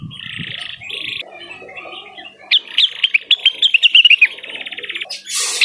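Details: Blue-winged leafbird singing vigorously to call a rival: buzzy, sustained high tones, then a quick run of sharp whistled notes rising and falling, ending in a burst of hiss.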